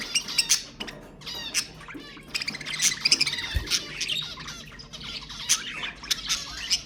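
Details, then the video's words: Pet budgerigars in a stimulating chorus: a steady stream of scratchy warbles and squeaky chirps overlapping throughout, broken by frequent sharp high clicks and short squawks. "اقوى تحفيز لطيور البادجي أقوى أصوات البادجي المحفزة"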